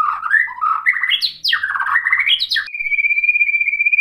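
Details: White-rumped shama singing to provoke other shamas, with quick warbled notes sweeping up and down, followed by a long, steady, slightly pulsing high whistle.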